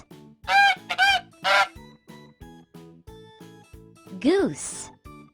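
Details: Farm goose honking three times in close succession, each honk brassy and slightly rising, followed by cheerful children's music and a brief rising voice-like sound near the end.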